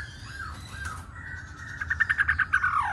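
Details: Song of a Black-throated laughingthrush performing its dance: soft whistled slurs, then a quick stuttering run of bright repeated notes that slides downward at the end.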